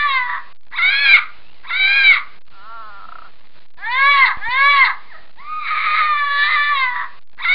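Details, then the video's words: Harsh, raspy squawks from a scarlet macaw in short bursts and longer drawn-out screeches, loud and nasal with rich harmonics; loud contact calls meant to carry far to call for their group. "Scarlet macaw sound's"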